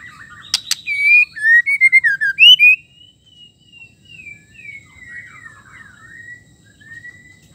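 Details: Song of a female white-rumped shama, used to excite males into singing: a fast burst of loud, rising and falling whistles, followed by softer, wavering, drawn-out whistled notes that trail away.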